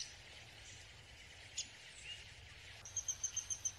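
A young Downy Woodpecker begs with a quick run of thin, very high chips, about seven a second. Steady background hiss throughout.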